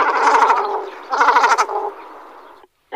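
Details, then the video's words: Cormorant calling: a hoarse, bleating croak with a stacked harmonic tone lasting nearly a second, then a second rough, pulsing croak after a short gap, fading into a weaker drawn-out tail before a brief silence. "Баклан. Голоса птиц"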